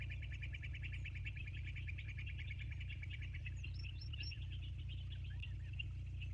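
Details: Bald eagles at the Sauces nest, live cam recording from 29 January 2024, 22:51: fast repeated high chittering pulses that fade out, followed by a few higher rising whistled notes over a constant low electrical hum.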